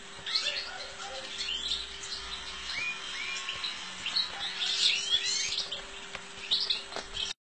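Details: European goldfinch twittering continuously in quick high chattering phrases mixed with short buzzy notes, partly masked by steady background hum and noise.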